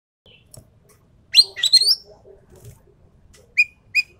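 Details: Javan pied starling giving a short burst of harsh, buzzy whistled notes, then two clear rising whistles near the end, with quiet gaps between.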